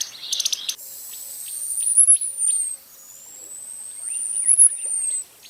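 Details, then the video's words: Costa's hummingbird singing a long, thin, very high whistle that rises and then slides down, given twice about two and a half seconds apart, after a brief burst of clicking notes. "Canto do Beija-Flor da Costa"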